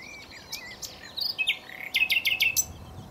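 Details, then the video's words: At Cowpen Bewley, a common nightingale sings close up with loud, varied phrases: clear whistles and warbled notes, then a quick run of rich repeated notes, over a soft background hiss. "Nightingale singing"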